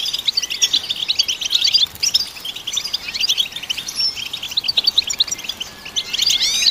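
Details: Goldfinch singing to stimulate goldfinches: fast, high, tinkling chatter in bursts, short pauses near two and five seconds, ending with a cluster of looping, whistled slurs.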